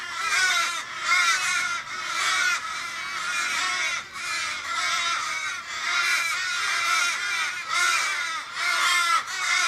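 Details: Chorus of Australian ravens in a street in Kellyville, Sydney, on 1 July 2012: fifteen or more birds circling an injured, dying flock member, possibly car-struck, calling in distress. Overlapping drawn-out, harmonic wailing caws with falling ends, nearly continuous.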